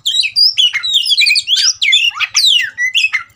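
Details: Oriental magpie-robin (kacer) riled up to fight sings a continuous rush of rising and falling whistles and raspy chatters, bright and loud throughout, with soft low ticking in the background.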